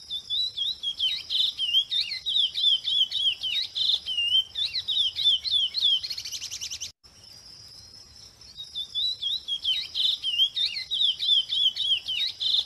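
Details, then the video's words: Chestnut-bellied seed finch singing in the wild, one of several joined recordings. Fast warbled phrases of slurred whistles and short buzzy notes run continuously, broken by a brief buzzy rattle and an edit, over a steady high insect-like drone. "CURIÓ CANTANDO SOLTO."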